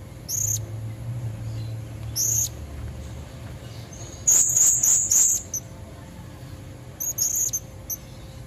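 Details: Female Blue-crowned hanging parrot calling in the wild to lure red-necked males: a few isolated high squeaks, then a loud rapid series of four or five piercing notes, then softer chips.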